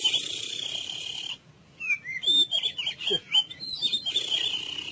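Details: White-rumped shama (murai) song in full cililin style, used as a masteran training recording for other songbirds: a steady, high, shrill trill for over a second, a brief pause, then rapid varied whistled notes and slurs, ending in another sustained high trill.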